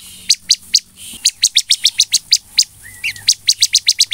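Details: Bar-winged prinia song used as a lure to provoke other birds to sing: a rapid series of sharp, high clipped chirps, about four per second, with a brief soft slurred whistle midway.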